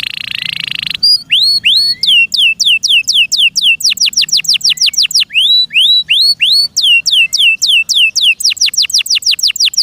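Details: Pet canary kept by its owner, singing loudly: a second of harsh buzzy rattle, then clear downslurred whistles repeated about three times a second, speeding into quick tours of sharp slurred notes.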